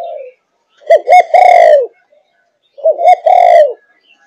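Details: Five-and-a-half-month-old spotted dove, Malaysian line, giving thúc gù coos: two quick hooked notes lead into a long, drawn, slightly falling coo. The phrase is repeated twice with a short silence between.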